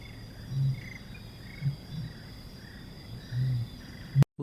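Helmeted Curassow giving very deep, low booming notes spaced about a second apart, with a steady high insect drone behind and a click at the end.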